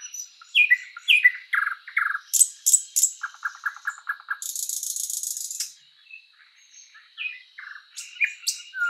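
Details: A thrush nightingale (Luscinia luscinia) sings in a spring forest: varied phrases of falling whistles, a fast dry rattle of clicks, then a loud harsh buzzing burst over a thin steady high hum.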